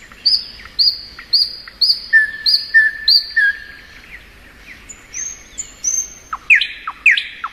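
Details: Thrush nightingale singing in spring, with a series of spaced high whistles, several lower drawn-out whistled notes, then varied slurs and sharp downward strokes.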